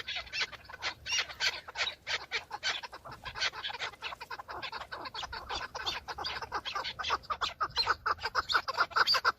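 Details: Fighting chukar partridge males, breeding season, displaying for females; filmed from a car. Fast, rasping chuk series, over three notes per second, several birds overlapping in a continuous, rising cackle.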